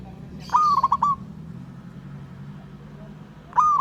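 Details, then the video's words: Local wild zebra dove, ngayer style, calling out a rival: a fast stammering phrase of clipped coos, then a pause with low background rumble before the next phrase starts. "Burung Perkutut LOKAL Alam Ngayer Memanggil Lawan"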